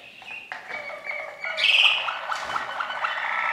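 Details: Waterslager canary singing a continuous run of clear, sustained whistled tones with rolling, trilled passages, rising in volume midway and holding steady to the end, with no other sounds standing out.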